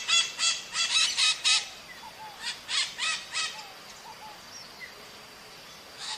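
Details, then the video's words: Wild maritaca parakeets squawking in nature, with strident, rough notes delivered in quick groups of five or six, separated by short lulls and a few softer scattered calls. "O CANTO DA MARITACA NA NATUREZA"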